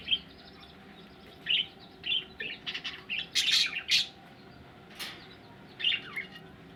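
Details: Egg-ready budgies twitter and chirp in a lively run of short squeaky notes, busiest in the middle with a dense scratchy burst, then sparser chirps toward the end, over faint background hum.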